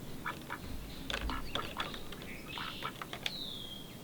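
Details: A pair of mallards, arrived on 10 March, earlier in spring than ever before, give rough, nasal quacks in uneven bursts, several close together; a thin, high whistled note slides downward near the end over low background rumble.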